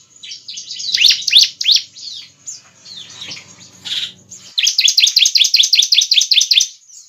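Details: Bar-winged prinia song played as a lure: bursts of shrill descending notes, a brief pause with a soft buzzy note, then a long steady series of quick repeated high chirps.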